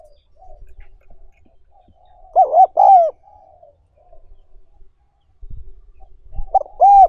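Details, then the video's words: Spotted dove in a recording used to train wild-caught doves: loud mellow coo phrases of short paired notes and a drawn-out falling hoot. Softer cooing sounds in the background, with some low thumps. "Tập Chim Cu Gáy Bổi"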